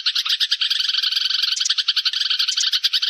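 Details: Sparrow flock call for trapping lures: a short burst of quick, chattering chirps from several birds, sharp bright notes packed closely with brief gaps between clusters.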